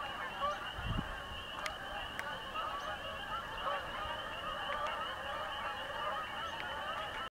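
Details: Canada geese flying over a house; a dense flock chorus of overlapping nasal honks runs steadily through the whole clip, with a few sharp clicks and a low thump near the start.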